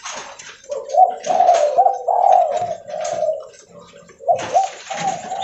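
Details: Loud spotted dove of the leopard type cooing as it walks: soft opening, then a strong series of low, wavering coos, a pause, and another phrase starting.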